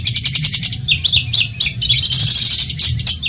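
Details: Long-tailed shrike from Madura, recorded to teach other songbirds: varied high chirps and short rising and falling whistles, then a sustained thin, shrill trill, with a low hum beneath.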